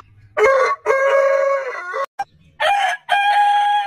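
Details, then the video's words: A rooster (chicken) crows twice, each a loud, drawn-out, harmonically rich crow, the second higher-pitched, with brief pauses between phrases. "Hane Gallos Cantando Chicken Crowing as Chicken Song Suara Ayam Pelung Berkokok Hahnen Krähen"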